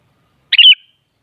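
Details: Kutilang, or sooty-headed bulbul, meant to make a kept bird respond: one quick phrase of a clipped opening note followed by a rich, slightly descending warble with a faint trailing whistle, otherwise silent.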